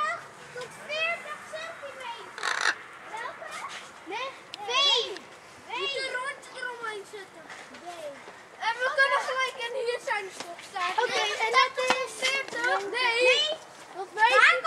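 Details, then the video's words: An Eclectus parrot in Tuitjenhorn, Holland, chatters in quick bursts of bent, nasal, speech-like notes with a few sharp squawks, growing louder and busier toward the end. "eclectus parrot"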